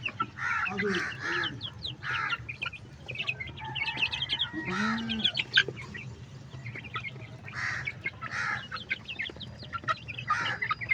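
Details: Baby chicks pecking at food, high bright peeps in quick bursts from many birds at once, with a few lower soft clucking notes and a steady low hum beneath.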